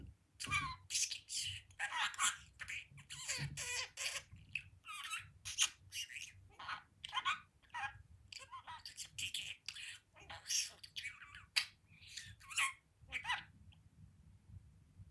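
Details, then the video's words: Budgie sitting on its window perch chatters and talks continuously, producing a dense run of raspy, clipped, high-pitched syllables and squeaks for about fifteen seconds in a quiet indoor room. "Budgie Boo, window talking"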